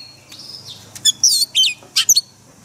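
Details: Oriental magpie-robin in forest voice, a daily training track for caged birds: a soft steady whistle, then abrupt loud, buzzy, slurred chirps in quick succession.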